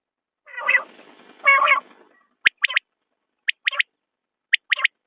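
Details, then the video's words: Common quail calling: two low nasal wheezing notes, then sharp three-note whistled phrases, short-long-long, repeated about once a second in silence. "بٹیر کی آواز/ quail bird sound"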